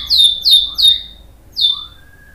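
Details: White-rumped shama sound meant to provoke other birds: three sharp, high, downward-swept notes in quick succession, a pause, then one more, with soft lower slurred whistles between.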